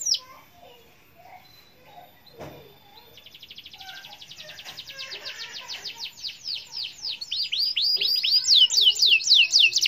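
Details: Canary song meant to set silent canaries singing, starting quiet amid faint background noise, then a rising fast rattling trill that builds into loud repeated downward whistles and quick warbled phrases.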